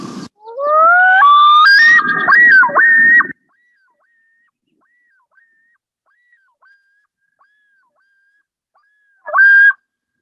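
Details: A male common loon gives its territorial yodel, neck stretched out, defending territory: wailing notes climb stepwise, then break into quick repeated two-part phrases for about three seconds, with a low rumble beneath; one brief wail follows.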